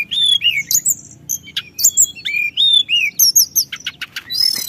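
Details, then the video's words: Song of a Sunda whistling thrush delivered nonstop to provoke other birds: clear downward-sliding whistles repeated in pairs, mixed with short high chips and squeaky notes. "Burung Teledekan Gunung Gacor Ngeroll l Untuk Pancing Em0si"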